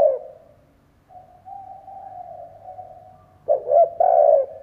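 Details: Decoy spotted dove cooing to draw in wild doves. A soft, steady drawn-out low coo comes first, then a short run of louder, throaty coo notes, with a faint low hum in the background.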